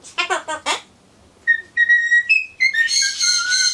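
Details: Pet Solomons corella talking to itself while waiting for pumpkin: a burst of harmonic, speech-like syllables, then clear sustained whistled notes that step up and down, ending in a rich, buzzy rising note.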